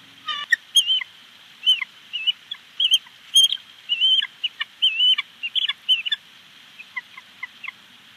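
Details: Mother bald eagle at a Big Bear Lake nest, 25 April 2019, becoming vocal once her mate delivered a mystery item: repeated high, squeaky chirps in quick irregular bursts, some notes slurring downward, continuing for several seconds.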